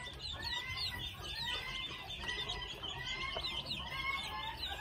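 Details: Red junglefowl chicks, two months old, giving a string of about five thin, slightly rising whistled calls roughly once a second over a constant shrill insect chorus.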